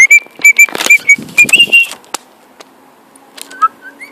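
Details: Pet male cockatiel flying and whistling: a fast run of short, even high notes, then quiet, ending with two soft slurred whistles.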